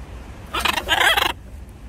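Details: A pet blue-and-yellow macaw teasing its owner gives a harsh, raspy, broadband squawk lasting under a second, in two close bursts.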